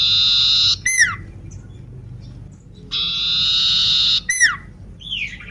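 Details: Energetic song of a lame sooty-headed bulbul: a harsh buzzing strand ending in a sliding whistle, repeated, then a brief curving whistled note, with soft low noise underneath.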